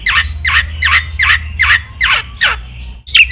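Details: Black-winged myna masteran training song, full of varied fill-ins, meant to provoke other mynas: seven harsh, buzzy downslurred notes about every half second, then a brief bright whistle at the end; low hum underneath.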